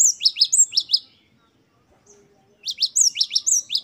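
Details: Lively wucit-wucit song of a great tit used as a master recording: two bursts of quick, very high repeated paired notes around a silent gap of more than a second.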